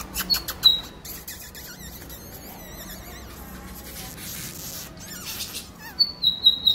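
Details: A Lined Seedeater (bigodinho), recorded in the morning on 23 October, sings high, clear whistled notes that open and close a run of quick, buzzy, twittering phrases. A faint room hiss sits underneath.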